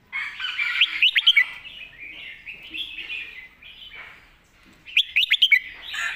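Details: Red-whiskered bulbul singing a clear 'master song' phrase with golden phrasing: bright, quick whistled notes in short bursts, a rapid sharp cluster opening and closing the stretch, over a steady murmur of other chattering birds.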